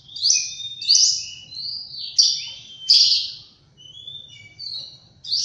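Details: An Oriental magpie-robin sings in the morning, a run of loud, high, sweet whistled phrases, each slightly different, rising and falling, with a brief quiet gap before it resumes.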